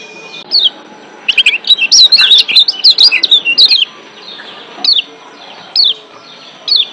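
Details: A burst of rapid, high, sweet chirping from a wild-caught Lombok white-eye in breeding excitement, a 'ciak' style from Lombok, then breaking into single sharp rising-falling chirps spaced about a second apart.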